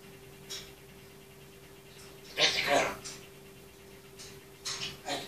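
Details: A pet grey parrot talks, chattering in short, speech-like bursts with one louder phrase near the middle and a few quick clipped sounds near the end, over a steady indoor hum.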